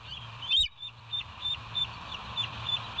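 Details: Bald eagle at the West End nest, watched by a live nature cam on 07/09/2023 at 06:24; one louder high chirp followed by soft, short piping notes repeated about every third of a second over steady background hiss.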